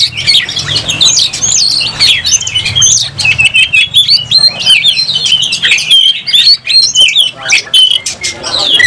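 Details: Agitated oriental magpie-robin opening its tail for a fight, singing a quick, varied run of high twisting whistles and trills, with sharp knocks and a faint low hum beneath.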